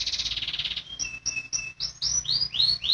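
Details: Caged canary singing as a training model for birds that have stopped singing, a fast rolling trill of buzzy notes followed by clear whistled upslurs that rise and repeat in a steady series.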